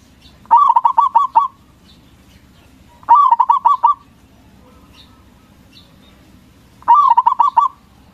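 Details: Local zebra dove singing loudly, a song used as a lure to excite rival doves into answering: three bursts of rapid, bubbling, pulsed coos, each under a second long, about three seconds apart, over a low steady background hum.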